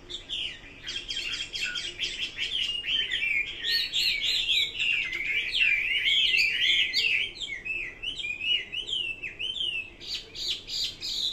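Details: Chinese hwamei singing a loud, varied run of whistled phrases, rich slurred notes rising and falling quickly with rapid repeated chirps and sweeping trills, continuous and energetic throughout.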